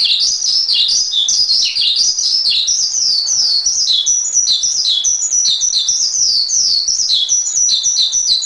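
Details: Loud, unbroken chatter from a Javan pied starling (jalak suren) masteran: strings of short sharp chirps and downslurs, the phrasing speeding up and jumping higher in the second half.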